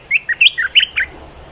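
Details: Bulbul giving a lively run of connected whistled notes that rise and fall quickly, bright and clear over a quiet background.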